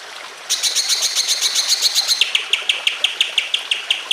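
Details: Greater green leafbird pouring out a fast, bright chattering trill of sharp repeated notes, shifting midway into a slightly lower, evenly spaced series of clipped chirps.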